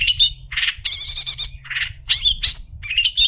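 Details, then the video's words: Long-tailed shrike tutor song for other shrikes: harsh buzzy rasps alternating with rising whistled notes and a long grating rattle, loud and close, over a low background hum. "Burung cendet istimewa cocok untuk masteran burung cendet"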